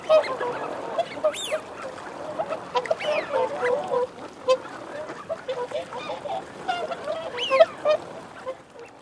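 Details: Eurasian wigeon males and females give sharp rising-falling whistles spaced a few seconds apart over busy low growling and muttering from many birds.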